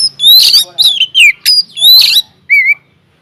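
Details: Vigorous song of an Oriental magpie-robin in an aviary, played as a lure to prompt other birds to sing: rapid, loud, varied whistles and harsh, buzzy notes in quick bursts, ending in a pure, warbling whistle.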